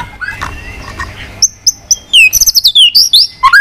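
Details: White-rumped shama in fighting song, tail flicking: faint muffled notes at first, then a few short high whistles and a quick burst of bright, sweeping whistled phrases ending on a lower slur.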